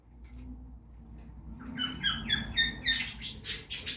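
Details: Budgie feeding in a backyard aviary: quiet start, then a string of bright, clipped warbling notes building into loud, rapid, harsh chatter.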